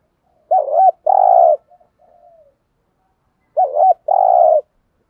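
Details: Spotted dove used as a decoy to provoke wild doves into calling back. Two phrases about three seconds apart, each a wavering double coo followed by a long, husky, level coo, with soft trailing notes after the first.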